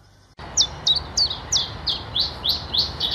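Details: Common chiffchaff singing its spring mating song in a forest: a steady string of high, sharp notes, about three per second, alternating slightly up and down in pitch over a soft background hiss.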